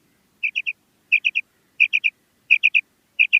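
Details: Calling female common quail, five evenly spaced three-note whistled phrases, sharp and clipped, repeating about every 0.7 s against near silence.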